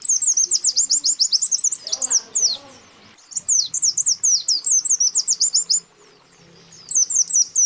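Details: A calling rival draws answers from a male and a female white-eye. They give fast trills of piercing high downslurred chirps in three bursts separated by pauses, with a faint low chattering sound near the second second.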